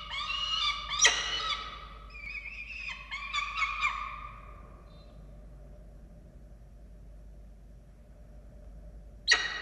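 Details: Falcons feeding chicks at their nest in Orange, Australia, on 13 November 2022: a short cluster of rasping, harmonic squeals with a knock, then a long hush broken by one final sharp sound.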